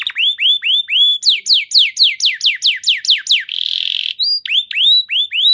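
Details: Canary singing to coax silent canaries into song: rising upslurred whistles, a run of steep descending sweeps, a harsh buzzy roll, then more rising whistled notes.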